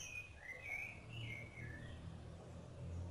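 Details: Rufous-bellied thrush feeding its chicks: a few clear, slurred whistled phrases, rising then falling, in the first two seconds, then fading, over steady low rumbling background noise.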